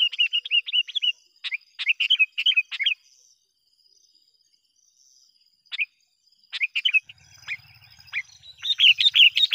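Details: A Sooty-headed bulbul calls to lure wild bulbuls: bursts of chattering, bubbly notes, then a pause of a few seconds, a lone note, and more chatter that grows denser at the end. A soft low hum is heard briefly.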